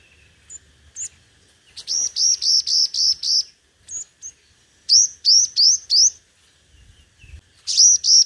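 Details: Competitive song of a decoy 'hút mật 5 màu' (five-coloured sunbird), played to lure birds: bursts of rapid, high, hooked whistled notes, six or so in each run, separated by short pauses and faint chips.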